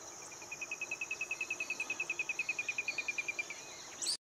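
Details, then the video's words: An Olive-crowned Crescentchest (Melanopareia maximiliani argentina) sings a fast, even string of about 25 clear, mid-high notes at roughly eight per second, over a steady high insect whine. "OLIVE-CROWNED CRESCENTCHEST SINGING"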